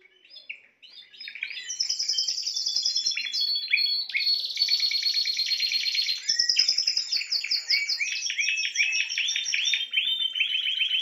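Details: Spanish timbrado canary singing a long, loud sequence of varied rolls: fast high trills, a steady buzzing roll in the middle, and repeated bubbling rising notes toward the end, after a quiet start.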